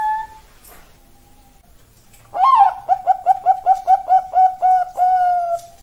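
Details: Zebra dove singing: a short rising note, then a run of about a dozen quick, evenly spaced mellow coos that end in a longer held coo.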